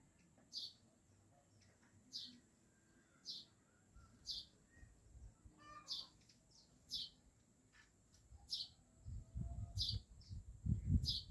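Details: Yellow birds at home chirping at a steady pace, one sharp high note about every 1.3 seconds, with a thin constant high whine and some low thumping noises near the end.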